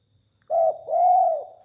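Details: Tame spotted dove cooing: a short tonal note then a longer, arched, drawn-out coo, mellow and mid-pitched, in a quiet setting.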